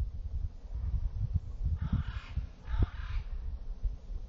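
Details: California scrub jay calling out to other birds in the early morning: two harsh, raspy, buzzy calls about a second apart over a steady low wind rumble.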